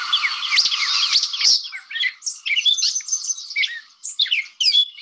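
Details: A Gray Catbird in the Chicago area, a mimic, gives its own normal song: a rambling run of high, varied, squeaky, scratchy notes in short phrases with brief pauses, no other sounds heard.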